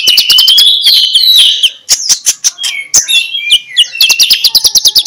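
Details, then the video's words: Morning ngeplong-style song of a magpie-robin, played to stir lazy birds into chattering; opens with a fast run of sharp clicks, then loud wavering whistles, and ends with another rapid string of ticking notes. "MENJUR untuk PIKAT Konin Lelet jadi NGOBRA, Menggunakan Suara KONIN Ngeplong"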